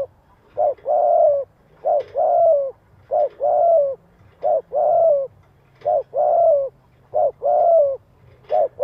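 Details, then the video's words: Spotted dove calling urgently to lure other doves, 'giọng hạp' voice: seven quick, loud, low-pitched phrases, each a clipped coo followed by a fuller sliding coo, repeated roughly every 1.3 seconds over a soft hum. "Cu gáy gọi thúc kích mồi tập bổi"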